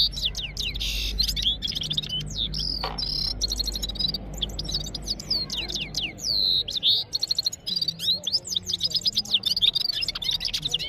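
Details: Red-fronted serin, one singing bird set against five serins singing step by step, recorded on a mobile phone; a fast, continuous twittering song of high trills and slurred whistles, with a low hum underneath.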